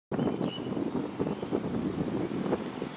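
Common starling giving thin, high whistles that slur up and down in quick sweeps, over a steady low rumble like distant traffic.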